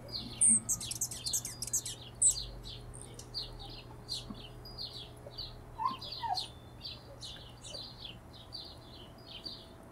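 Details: Hummingbirds giving dense, rapid high chirps and short twittering notes, sometimes overlapping in quick bursts, with a few louder squeaky notes near the start and a steady low hum underneath.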